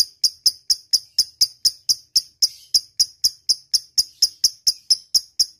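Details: Lovebird ngetik, a ticking call used as a lure to call a rival: crisp, high, click-like notes repeated at a steady pace of about four per second.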